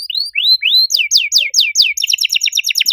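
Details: Canary singing loudly with a unique melodic style: rising whistled sweeps, then a run of fast falling slurred notes, ending in a rapid, rattling double-toned trill.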